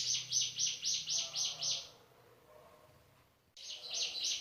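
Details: Male Hill Prinia's shooting song: a run of high, buzzy notes at an even pace, about four a second, then a pause of over a second before the same rapid notes start again.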